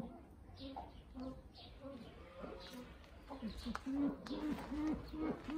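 Brown eared pheasant giving a quick run of low, hollow notes, about three per second, strengthening toward the end; faint background murmur, possibly voices.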